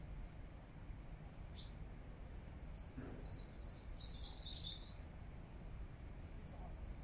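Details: Bird song in Regent's Park, London, September 2024: high, thin chirps and short warbled phrases clustered in the middle seconds, with scattered single tweets before and after, set against a constant low background hum.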